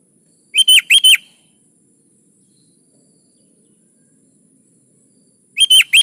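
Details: Lively kutilang, the sooty-headed bulbul, used as a lure for caged birds: a fast three-note whistled phrase, a pause of about four seconds, then the same phrase again.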